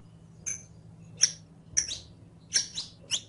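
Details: Sparse, high chirps spaced under a second apart from a saffron finch, used as training audio for a captive bird, with a faint low hum throughout.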